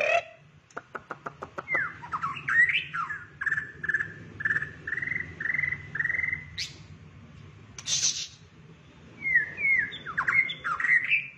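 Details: Shrimp-tailed white-rumped shama singing the "rít thuốc lào" pipe-smoking style: a rapid burst of dry clicks, then a row of short, even whistled notes, a high hiss, and more twisting whistles, over a low hum.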